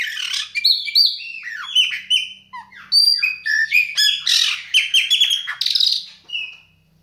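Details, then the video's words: Chopi blackbird of the Baianinho song style, a varied fast song of whistled, slurred notes and buzzy bursts, dense phrases tumbling one after another with short clear whistles near the end. "BAIANINHO PÁSSARO PRETO SHOW"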